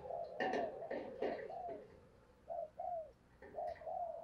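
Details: Spotted dove giving fight-provoking coos: mellow, falling coo phrases over clattering and rustling noise, with the coos clearer near the end.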